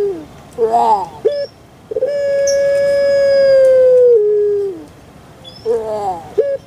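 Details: Puter pelung dove kept in Java, Indonesia: quick wavering introductory notes, then a long flat tone held for nearly three seconds with a downward step at its close. More brief wavering notes follow.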